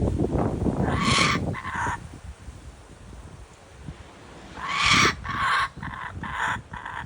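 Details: Kookaburra in Australia calling: harsh, broadband cackling bursts, one early and then a run of rapid repeated chuckles toward the end, over a rough, rumbling background.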